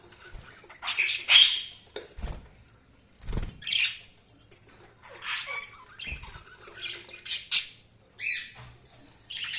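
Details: Budgerigars chirp and squawk in irregular scratchy bursts, some warbling, others short and harsh, interspersed with dull thumps and tapping sounds at several points.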